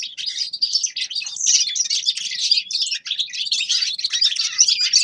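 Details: Continuous song of a grey-crowned goldfinch, a lively stream of high tinkling chirps and buzzy trills with no real pauses.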